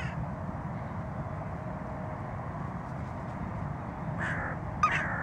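A Western jackdaw gives two short, hoarse 'chak' calls near the end, over a steady low rumble of background noise.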